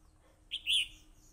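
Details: Short two-note phrase from a fighting red-whiskered bulbul, taken with a voice recorder: a clipped high chirp followed at once by a louder, slightly longer whistled note.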